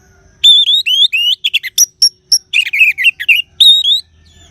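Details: Loud, fast orange-headed thrush song: a continuous string of rising whistled phrases, sharp clicks and warbled notes lasting about four seconds, ending with a rising whistle and a quiet low hum.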